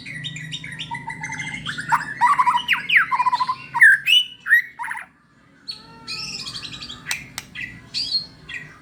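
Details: Contest-ready caged white-rumped shama singing energetically: fast bursts of rich whistles, trills and harsh chatters, a brief silent gap, then clearer rising whistled notes and sharp clicks, with a constant low hum underneath.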